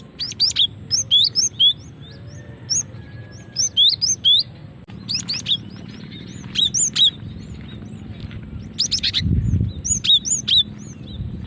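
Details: Female cinereous tit calling, used as a lure to trigger singing: high thin whistled slurred notes mixed with short buzzy rasping bursts in irregular groups, over a steady low hum.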